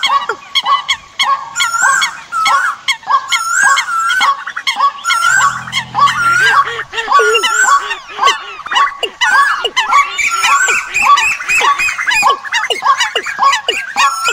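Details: Migration-season decoy recording of birds calling in a crowded, continuous flock: bright wavering notes and quick downward slurs tumbling over each other, with a short low hum near the middle.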